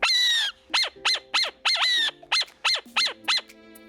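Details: A captive male Burrowing Owl weighing six ounces gives a rapid series of about nine high, harsh yips, each slightly falling, over four seconds, with a faint low hum underneath; this alarm yipping warns others of predators.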